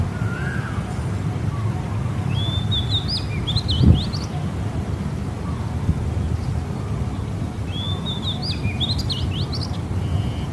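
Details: Small bird singing in the morning: two bursts of high, quick chirping notes with rising sweeps, the first near three seconds and the second near nine, plus a soft lower whistle at the start, over a steady low rumble.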